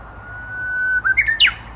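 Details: Unusual song of a Japanese bush warbler, thought to be an immature bird practising: a long, even whistle swelling slowly, followed by three quick notes climbing in steps to a higher, sharper final note.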